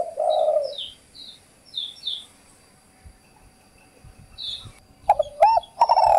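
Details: Spotted dove, a call used to lure birds: a low coo opens, then thin high chirps from small birds, and a fresh run of hollow coos at the end over background noise.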